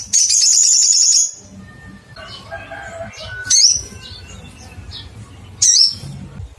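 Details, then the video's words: Little spiderhunter looking for a rival: opens with a fast, buzzy high trill lasting about a second, then two separate sharp, down-slurred chirps a couple of seconds apart, with soft low hum. "Cuitt cuitt panggilan SOGON mencari lawan"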